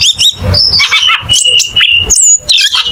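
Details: Cucak keling, a songbird kept by bird-song hobbyists in Indonesia, delivering a busy, loud run of sharp whistles, chirps and slurred notes that rise and fall, with rhythmic low thumping pulses underneath throughout.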